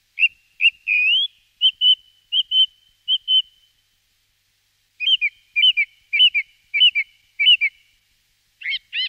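A song thrush sings clear, high whistled notes, each phrase repeated five or six times before it switches to a new phrase. No other sounds are heard.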